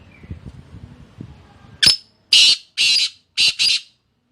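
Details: Indian black francolin calling: after low murmuring, a series of five loud, harsh, grating bursts, some clipped short and some drawn out, coming quickly one after another.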